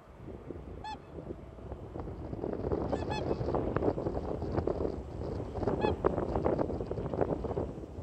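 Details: A flock of whooper swans, parent birds calling as a signal before taking flight, gives a dense chorus of loud, trumpeting honks, many birds calling over one another at a quick, uneven pace, with a low rumble underneath.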